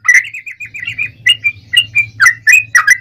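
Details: Yellow-vented bulbul song, used to draw other bulbuls into singing: a soft warbled run of sliding whistles that builds into louder, sharper bubbling notes, with a steady low hum in the background.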